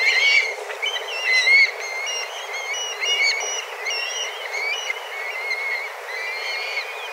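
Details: Dozens of black kites flying in a group and calling vigorously while seeking food; overlapping whistled mewing calls, louder at first and then softer and more distant.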